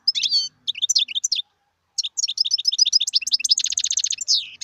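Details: A wild European goldfinch twitters busily, mixing sweet chirps with a rattling run of rapid notes near the end; faint low hum underneath.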